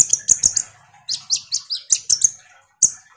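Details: Konin sunbird singing actively to push a lazy kolibri ninja into song: rapid, even series of sharp, very high chirps, dropping slightly in pitch, then a single closing note.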